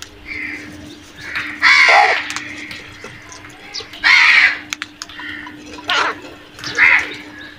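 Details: Crows attacking food give spaced harsh caws about every two seconds, with quieter calls in between.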